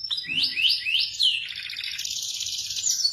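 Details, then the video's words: Local Indonesian canary singing: rapid high warbled phrases with rising sweeps repeated about three times, then a fast buzzy trill held steady, all bright and high-pitched with no other sounds. "Suara kicau KENARI yang MERDU"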